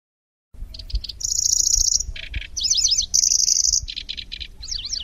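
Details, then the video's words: Lanceolated warbler song with reels and sharp shots: short stuttering notes, a long high buzzing trill, a lower rattle, zigzag whistles, another reel and repeated clipped rattles, over steady low background rumble. "Suara Burung Kecici Belalang | Nyecret Durasi Panjang"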